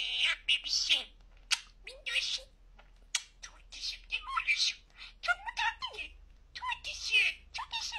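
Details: Pet budgerigar talking very clearly, with high, thin, raspy imitated phrases broken into quick bursts and short pauses. The mimicry is scratchy and chattering throughout, and no other sounds stand out.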